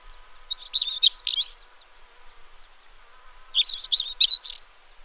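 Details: European stonechat (Saxicola rubicola) song: two brief, loud, twittering phrases of rapid scratchy high notes, about three seconds apart, against a quiet background with a faint hum.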